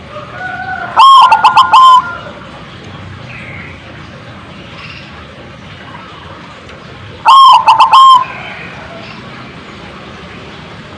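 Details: Zebra dove calling to make other birds answer: two loud, bubbling, stuttering coo phrases roughly six seconds apart, each a rapid cluster of pulses, with quiet background between.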